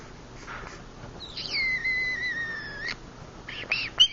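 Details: Pet green-cheeked conure making soft noises while asleep in the dark; a long drawn whistle with a flat, slightly falling tone lasting over a second, followed by short sharp chirps near the end.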